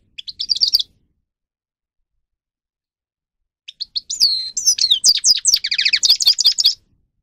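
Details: A short twitter, then quiet, then a lively grey-crowned goldfinch phrase of liquid slurred whistles and rapid metallic chirps, played as song to train singing birds.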